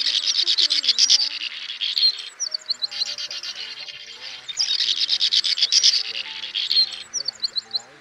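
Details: Swiftlets, male and female, gathering the flock to roost as a lure: two rounds of rapid pulsed buzzy trills, each followed by softer high thin chirps.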